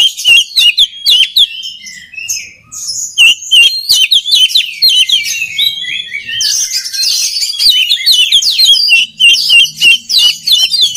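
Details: Loud oriental magpie-robin singing, played for training other birds of its kind: rapid chattering phrases of high whistles, trills and harsh notes, dense and continuous with brief gaps.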